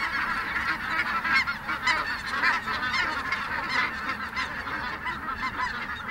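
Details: A large flock of snow geese lifting off at a Merced wildlife refuge, loud overlapping honks and yelps from many birds in a constant rapid jumble.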